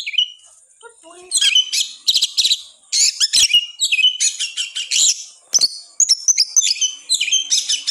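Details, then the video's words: Caged oriental magpie-robin in full, aggressive song used as a lure for silent birds: a few soft low notes, then dense runs of harsh chattering phrases mixed with sharp whistles, pausing briefly between bursts. "KACER Gacor NGOTOT Dijamin, Kacer Malas Bunyi Langsung Emosi"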